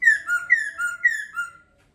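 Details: Brief laughingthrush phrase: three pairs of clear whistles, each a high note gliding down into a lower sustained tone, repeated at an even pace and then stopping.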